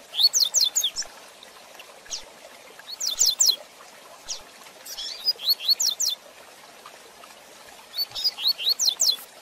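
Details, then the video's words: Fast Tui Tui Zel Zel de Fibra song of a rusty-collared seedeater, recorded to train young birds: four bursts of rapid, high, slurred whistles, each quick downward-and-upward sweep repeated several times, with short pauses between bursts. "Tui Tui Zel Zel de Fibra Canato Rápido Para Treinamento e Encarte"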